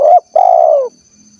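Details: Spotted dove of the 'kuk 1' type from Cilacap, Central Java, Indonesia: a short low cooing fragment, a brief rising-falling note followed by a longer, steady, slightly falling hooted coo, clean background.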